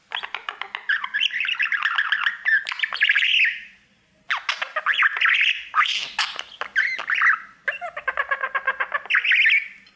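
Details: Pet male budgerigar singing to its mirror: rapid chattering warble of buzzy clicks and squeaky notes, rising and falling in bursts separated by brief pauses.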